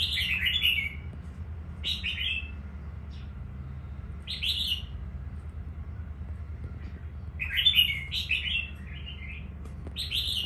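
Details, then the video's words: Red-whiskered bulbul, an untrained wild-type bird from Quảng Nam, Vietnam, newly selected. It sings bright, quick warbled phrases of tumbling notes in bursts every few seconds, with a longer run near the end, over a low steady hum. "Chào mào mộc Quảng Nam mới tuyển"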